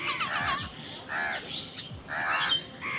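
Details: Crows squabbling over food, three rough nasal caws about a second apart with a thin rising whistle between them and faint scratchy background noise.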